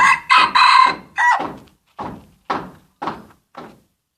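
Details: Aceh junglefowl used as a lure for catching birds: a loud harsh crow at the start, then a series of six short descending clucking notes spaced about half a second apart, fading toward the end.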